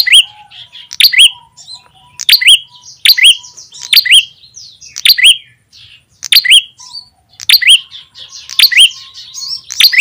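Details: Lure call of the ashy tailorbird for attracting small wild birds: a long run of piercing chirps, each with a rising, curling whistle, repeated roughly every second, clean and without background noise.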